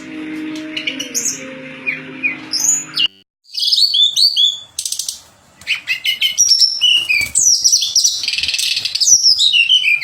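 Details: Song of a pied fantail, used as contest-bird training material: bright, varied whistled phrases and fast chirps, with an abrupt break partway and a low hum early on.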